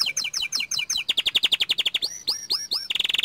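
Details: Young canary singing loudly: bouncing paired chirps, then a fast even trill of repeated notes, a few long looping whistles and a closing rapid rattle.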